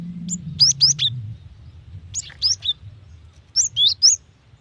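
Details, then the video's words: Female cinereous tit calling a male, a sound used to lure wild tits: three separated bursts of three or four rapid, high, sharp chirps with downward slides, over a soft low hum early on. "GELATIK BETINA UNTUK MEMANCING BUNYI"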